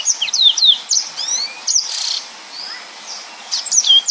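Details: Bright high-pitched phrases from a yellow-fronted canary in dense 'gacor' song: falling whistled slurs, a few drawn-out thin notes, a pause, then more sharp chirping.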